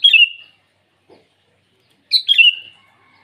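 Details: Sooty-headed bulbul calling rivals at morning: two clear, bubbling whistled phrases, each a quick cluster of descending notes ending in a drawn-out tone, with quiet gaps between.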